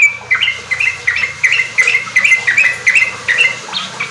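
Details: Yellow-vented bulbul lure song for untrained kept birds to learn riwik and ropel: evenly spaced, short chirping notes about three per second, with a soft low hum.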